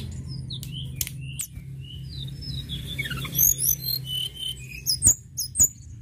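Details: Sunda robin singing actively: a rapid string of high whistled notes, some falling in a descending cascade midway, then louder high chirps toward the end, with scattered clicks and low hum.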